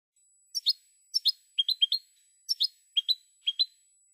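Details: Spanish European goldfinch song from a well-known silvestrismo recording: short paired bright chirps, rising and falling, spaced in clusters about every half second, clean with no other sounds.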